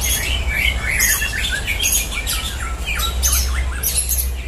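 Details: White-rumped shama, known locally as murai batu, in a simulated contest shoot-out of caged competition birds; loud bright whistles and harsh squawky phrases repeated in quick bursts, backed by a low continuous hum.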